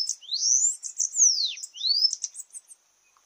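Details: Bananaquit singing during a singing contest, a high, thin, wiry song of quick buzzy upslurred and downslurred sweeps, with a steady high hiss underneath and no other sounds.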